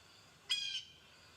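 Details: Blue jay (Cyanocitta cristata), a very blue backyard bird with a long tail, gives a single harsh, nasal jay note lasting about a third of a second, rich in harmonics, with quiet background hiss.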